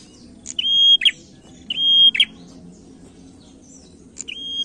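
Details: Male prinia singing to prompt other birds: two long level whistles, each ending in a loud buzzy rasp, about a second apart, followed by the start of a third.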